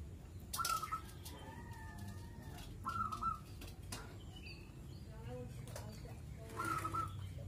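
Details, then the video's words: Zebra dove kept as a house guard, singing constantly for hours. A short pulsed cooing phrase sounds three times, about every three seconds, over rustling, wing flaps and a steady low background noise. "Burung perkutut bunyi gacor berjam jam"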